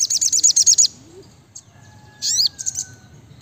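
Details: Fast high trill from a brown-throated sunbird, a string of about eight sharp piercing notes, then silence, one chip and a loud swooping up-and-down phrase with a few short chirps after it.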